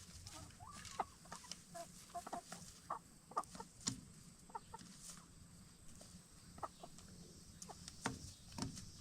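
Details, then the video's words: Free-range Black Star and Bielefelder hens in their chicken tractor at dusk; sparse, quiet clucks and murmurs spaced irregularly, mixed with sharp pecking taps and rustling against a faint steady hum. "Relaxing Hen Sounds - Chickens In Chicken Tractor"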